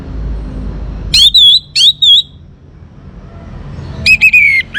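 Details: Young Orange-headed Thrush singing to prompt other birds: two sharp, slurred high whistles, a quiet pause, then a lower falling whistled phrase, with faint background hum.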